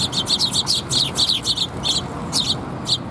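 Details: Sparrows gathering for food at a Tenmangu shrine, 8 October 2021, chatter in a dense stream of high, clipped chirps, several per second, thinning out toward the end, with faint low background noise.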